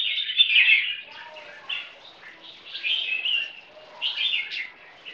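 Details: Captive ten-month-old bulbul crossbreed from a champion line, sired by an imported Burmese red-whiskered bulbul, singing in a contest against another bird: bright, warbling phrases with rapid chattering notes, repeated in bursts with short pauses.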